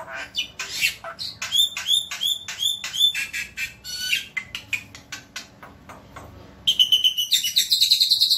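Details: Javan white starling in rapid song: scratchy clicks and short whistled notes that speed into fast chattering, ending in a bright, buzzy, high trill.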